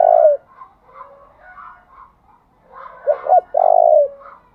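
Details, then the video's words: Spotted dove used as a decoy to lure wild birds, singing the urgent 'thúc' coo and varying its phrases. The end of a held coo, a lull of soft low murmurs, then a clear double note and a long steady coo. "Tiếng chim cu gáy thúc bảo đảm bổi nghe gáy liền, chim cu gáy mồi đảo bài liên tục"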